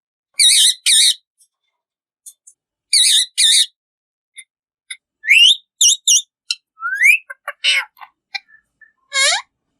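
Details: Talking rose-ringed parakeets at play: loud, buzzy double squawks, then sharp rising whistles, quick V-shaped chirps and scattered clicks, ending with a long, bright upward-sweeping whistle.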